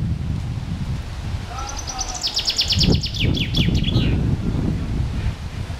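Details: Adult male common chaffinch (Fringilla coelebs) singing emphatically on St. Aubin island, Angers, Pays de la Loire, France, 6 May 2011: one bright, descending rattle of notes speeding up to a quick flourish, under three seconds, over low wind rumble.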